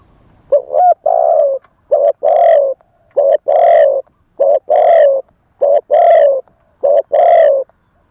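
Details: Spotted dove decoy bird calling live, in a wild-style voice, to lure wild doves: a brief chirp, then loud, hoarse coos in short-then-long pairs repeated about every 1.3 seconds.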